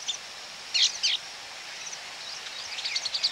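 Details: Baya weaver calls close up at a colony: two loud chirp bursts near the start, then a rising stream of quick twittering over a background hiss.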